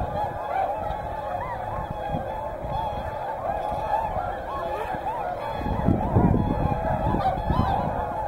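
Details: At Hyoko, Niigata, whooper swans mixed with tundra swans give a continuous chorus of bugling, slightly rising honks, several per second across the flock. A deep rumble swells in during the last few seconds.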